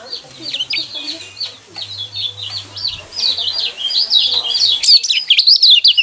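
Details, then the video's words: Yellow white-eye song played to provoke caged birds: an ongoing, fast string of high, twisting chirped notes that grows louder and busier toward the end. "burung pleci kecial kuning mana yang nggak kepancing emosinya dengan suara seperti ini"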